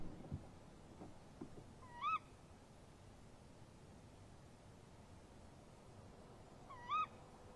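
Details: At night on 23 March 2015, a female tawny owl answers her mate near their nest box. Two sharp, upward-hooked kewick calls come about five seconds apart over quiet background hiss.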